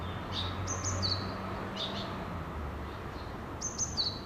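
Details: Early-morning Japanese tit at a nest box, calling repeatedly: high-pitched two-part phrases, a thin upper note dropping to a lower whistle, at the start and near the end, with softer notes between over a constant low hum.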